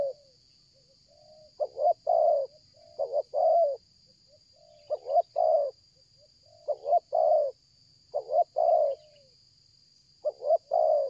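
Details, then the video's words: Spotted dove in a bird-luring setting, cooing strongly and without stopping in a stuttering 'selang gagap' style: short double notes then a longer mellow coo, phrases repeated about every two seconds over a steady high insect whine. "tekukur ini kuat nguku dari jauh mendekat nguku takberhenti,penguku selang gagap"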